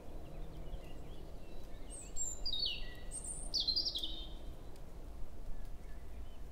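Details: European robin male singing in early May, 7 a.m., forest at Hoher Peißenberg; a female close by exchanges contact calls; high thin whistled and trilled phrases descending, over steady low background noise.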